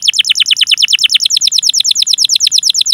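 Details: Canary delivering a long rolling series of sharp downward chirps, about six per second and steady for three seconds, played to prompt young or silent canaries to sing.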